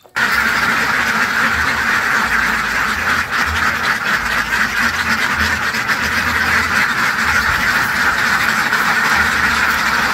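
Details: Ducks giving a steady, unbroken stream of fast, harsh quacks, roughly four per second and overlapping, with constant background noise throughout.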